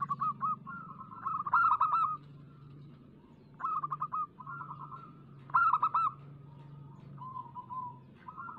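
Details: Lure recording of local zebra dove song to make doves sing: loud rapid-pulsed cooing bursts about every two seconds, each trailing into level trilled coos, with softer coos between and a steady low hum.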